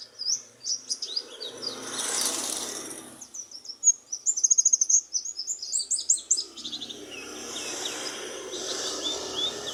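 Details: Oriental white-eye singing energetically: high, thin twittering chirps in quick bursts, busiest in the middle, between stretches of broadband rustling or hissing noise.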